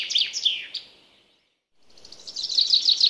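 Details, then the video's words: Wild common chaffinch singing: a quick burst of high, sharp notes sliding downward, a short pause, then a second phrase of rapidly repeated bright notes that grows louder toward the end. No other sounds are clear. "İspinoz 🐥 Chaffinch Singing"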